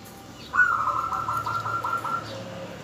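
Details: Zebra dove, local bird used to lure others into answering: a continuous rolling trill of linked coo notes lasting about two seconds, slightly muffled, over steady background hum.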